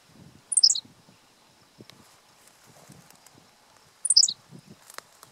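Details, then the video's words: Henslow's sparrow, singing from the ground and not in view, State Game Lands 100, Pennsylvania, 1 June 2015. Two identical short, sharp, high hiccup phrases about three and a half seconds apart, with faint ticks and a quiet insect whine. "Henslow's Sparrow, singing from ground, not in view"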